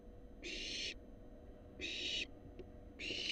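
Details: Begging barn owl fledgling, wild, in a monitored nest box receiving a rat: broad rasping hisses near half a second each, three in a row with a faint click between.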